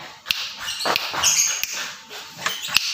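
A Javan myna gives harsh, scratchy chatter with sharp clicks and a few brief high whistles, over a few seconds of muffled thumps.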